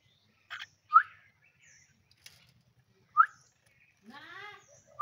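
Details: Pet common myna kept at home, called while its owner urges it to talk; short sharp rising chirps near the middle register, a burst of harsh noise and a trailing warbled note, with the owner's voice coaxing.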